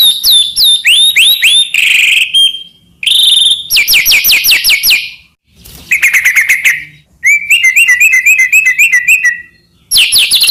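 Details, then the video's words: White-rumped shama (murai batu) master song with many 'isian' phrases, meant to make other shamas sing: varied bursts of rapid whistled chips, a steady held whistle, then buzzy rolling trills and a quick warbled run, separated by short gaps. "burung murai cocok untuk masteran gacor isian banyak"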